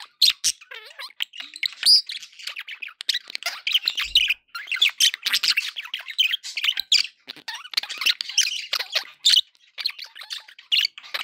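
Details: Several pet budgerigars chattering loudly, a long stream of scratchy warbles, sharp chirps and squeaky whistles, with a few thin rising whistles, to keep pet birds company.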